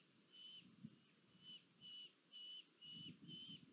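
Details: A female red-footed falcon at Polgár, Hungary, on 1 August 2022, during food deliveries, gives a series of high, flat whistled notes, each held briefly and repeated about every half second, over a faint low rumble.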